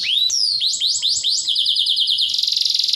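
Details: Canary with plenty of tembakan: a rising whistle, a series of hooked, chirping notes about four per second, then a dense, buzzing rolled trill to the end.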